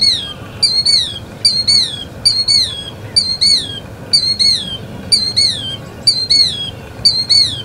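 Killdeer calling a shrill, high, down-slurred double note, about ten times in under eight seconds, over faint background hiss.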